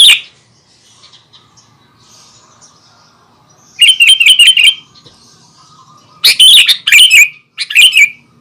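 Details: Sooty-headed bulbul in lively song meant to provoke other bulbuls: short bursts of rapid, bright chirping notes, one at the start, a burst near four seconds and two more bunched near the end, separated by quiet gaps with a faint low hum.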